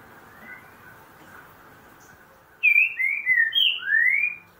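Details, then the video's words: Green-winged saltator singing in the 'boca mole' style: after a quiet stretch of background hiss, a phrase of four or five clear, slurred whistles, mostly falling, ending on a longer rising note. "Trinca ferro boca mole"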